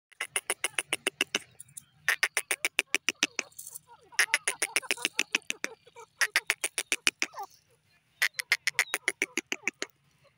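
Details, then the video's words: Grey francolin calling: loud bursts of rapid, harsh, broadband pulses, each burst lasting about one and a half seconds and separated by short pauses, repeated four times, with a faint low hum underneath. "teetar bird lovely awaz"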